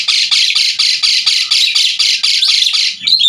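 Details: Energetic Asian pied starling song meant for tutoring other cage songbirds. A steady series of coarse, rasping notes repeats about three times a second, ending in a short whistle.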